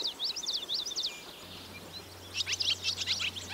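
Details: Barn swallow chicks nesting above the door into a farm milking parlour on a rainy day, giving quick bursts of high, squeaky twittering notes, with a steady low hum underneath.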